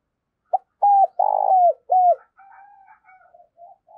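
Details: Morning lure call of a spotted dove, used to attract wild birds: a short opening note, then a strong run of low hooting coos with one drawn-out note, followed by softer trailing coos.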